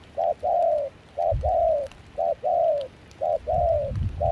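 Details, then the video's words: Spotted dove decoy, wild-caught with a foreign-mixed voice, singing during trapping in cold wind and rain at Kon Tum: four clear coo pairs, a quick note then a longer falling one, with short gusts of low wind. "Gác cu khi trời mưa gió se lạnh.bổi giọng pha nước ngoài chơi tốt."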